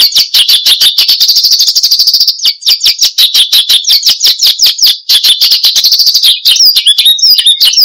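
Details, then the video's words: Australasian bushlark (branjangan) singing hard ('gacor'), recorded as a lure and master sound for cage birds; a long, unbroken rattle of very rapid high chirps ending in looping whistled phrases. "Kicau Burung BRANJANGAN Gacor, Untuk Pancingan Dan Masteran"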